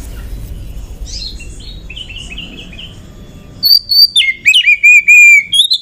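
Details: Oriental magpie-robin lure song, a female bird meant to excite males into singing: faint soft twittering at first, then loud bright whistles with quick downward and upward slurs over the last two seconds.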